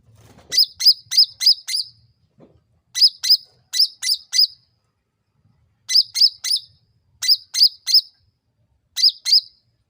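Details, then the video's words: Sooty-headed bulbul lure sound, used to draw a fast, persistent reply from other birds. Clusters of three to five crisp, high, slightly wavering chirps repeat about every one and a half seconds against a quiet background. "SUARA CUCAK RANTING MEMANCING NGOTOT PALING CEPAT NYAUT"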